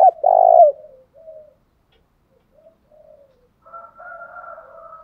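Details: Spotted dove lure recording in 'thúc gù' and 'gáy gọi' styles, played to stimulate captive doves: one loud, low hollow coo phrase opens, then faint, soft, wavering cooing trails off and returns later.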